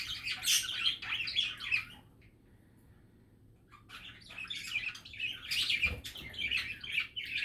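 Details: Budgerigar chatter of busy chirps and scratchy warbles that stops for about two seconds, then resumes just as lively, a soft thump midway and faint hum throughout.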